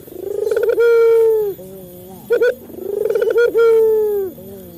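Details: Male local Barbary dove calling, used as a lure to get captive doves calling quickly: two phrases, each a rolling pulsed coo swelling into a long sustained coo, with short clipped notes between them.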